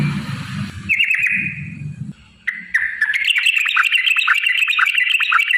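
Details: Yellow-vented bulbul singing with lively, bubbly chirps and short whistled phrases around mid-high pitch, dense and continuous after a brief pause, played to provoke other bulbuls into singing; low rumbling noise early on.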